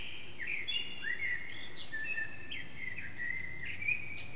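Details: Early-morning Eurasian blackbird song around 4:30am from an echoing backyard, caught on an HTC Desire phone with the singer out of sight: mellow slurred whistled phrases, some rising or falling, mixed with sharp high twittery notes and a hiss.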